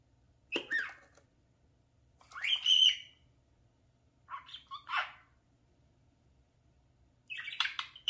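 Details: Talking parakeet kept indoors as a pet, playing before its mirror, utters four separate short squawky bursts of chatter spaced by quiet gaps of one to two seconds.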